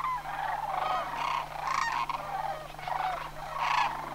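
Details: Sandhill cranes of a Homer flock in September 2009 migration, calling at moderate distance: overlapping purring, rolling bugles with occasional clearer rattles standing out from the chorus.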